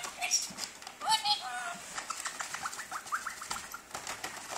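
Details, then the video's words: Blue-streaked lory, two years old, talking as it plays in a paper bag; quick string of harmonic, speech-like syllables, some sliding upward, rattled off in a busy stream with brief pauses. "Lory talking and playing in a paper bag"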